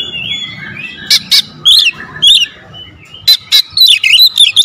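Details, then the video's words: Magpie-robin giving dense 'tembakan rapat' lure song: soft whistles at first, then sharp, loud chirps and quick rising and falling whistled bursts, with a faint low rumble underneath. "PANCINGAN KACER SUPER POWER TEMBAKAN RAPAT"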